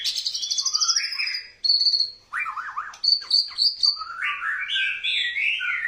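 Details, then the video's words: A White-rumped shama sings in courting style, mixing long thin high whistles and a quick set of high repeated pips with lower rapid warbled runs and rising slurred phrases. "Murai Batu gaya ngerayu"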